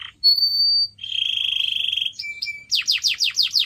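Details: Training song of a canary for pet birds: a pure high whistle, a long pulsing lower trill, short flat notes, then rapid descending sweeps.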